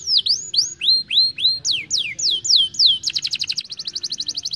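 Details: Canary song used to stimulate a young canary: repeated sweeping whistled notes, some rising and some falling, about two per second, then a fast even rolling trill of rapidly repeated notes.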